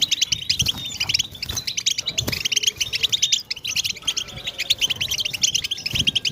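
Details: Group twittering of European goldfinches, played to stimulate goldfinches to sing: dense, overlapping high chirps and trills run continuously, with low rumbling background noise underneath.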